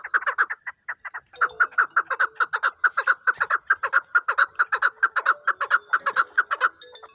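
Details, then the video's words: Chukar partridge for hunting giving an accelerating series of harsh clucks that settles into a fast, regular chuk rhythm of about two notes a second. "shekari chakor"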